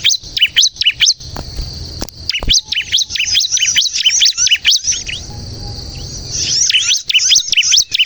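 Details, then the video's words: Bar-winged prinia in vigorous song, used to lure and prompt other prinias: quick, high, sharp chirps in bursts of about two per second, with a thin steady hiss behind parts of the run and a faint low hum. "suara burung ciblek kristal gacor untuk pikat dan pancingan ciblek bahan agar bunyi"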